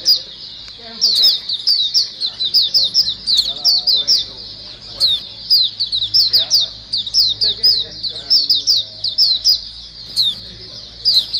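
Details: Chorus of white-eyes used as a lure, flock calling energetically: a near-unbroken run of high, piercing, downward-sweeping chirps, overlapping constantly, with some quieter mid-pitched chatter and a low background hum.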